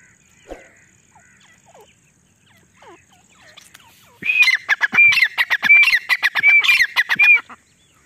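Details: Female grey partridge (desi teetar) calling in jungle, used as a hunting lure; after quiet soft chirps from other birds, a loud burst of about fifteen harsh rapid notes with shrill whistled peaks repeating every half second or so.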